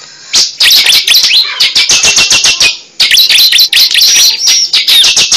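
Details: Lure recording of a cible: dense, loud runs of rapid high chirps and whistled slurs in two long bursts separated by a short pause.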